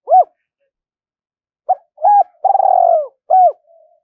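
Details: Spotted dove kept as a decoy, 'giọng thổ' voice, calling and goading wild birds toward the fighting spot. One looped coo, a pause, then a phrase: a short note, a coo, a long burry rolling coo, a final coo and a soft trailing murmur.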